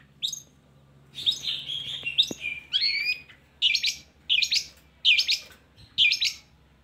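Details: Long-tailed shrike song used to lure lazy shrikes into singing: a scratchy warbled phrase, then short harsh chattering notes repeated about every second over a faint low hum.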